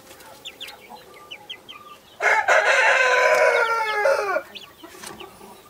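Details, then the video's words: Naked neck mother hen with Brahma, Australorp and Sussex baby chicks; scattered chick peeps, then a loud two-second crow with rich harmonics, then peeping again. "naked neck mother hen with brahma ,australorps,sussex baby chicks - κλωσσα"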